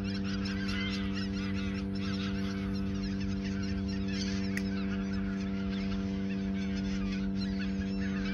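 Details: Geese in the Ochsenmoor nature reserve in autumn 2022, a few days before migrating south: a dense chorus of overlapping nasal honks from a large flock, continuous throughout, over a steady low hum.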